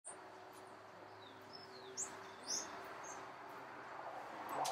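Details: Black-capped tanager (Tangara heinei) at Sachatamia Lodge, Ecuador, May 2012, giving a few thin, high, sharp call chips at irregular intervals over a steady rushing background.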